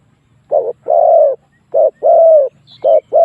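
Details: Fighting lure call of a spotted dove: loud, mellow coos in pairs, a short hoot then a longer sustained one, repeated in quick succession with a faint high chirp in the background.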